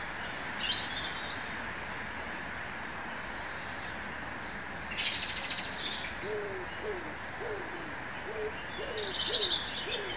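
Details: Birds in the woods: scattered thin, high chirps and a brief dense burst of trilling, followed by a series of soft, low, upslurred hooting notes repeated about twice a second.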